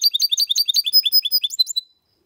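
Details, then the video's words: Goldfinch x canary hybrid song, used to spur males to sing and for young birds to memorise: a quick run of high, sharp twittering notes, about eight per second, tailing off into a brief thin whistle. "Mixto de Jilguero X canari canto Limpio para estimular y memorizar los jilgueros y Mixto / Mulet"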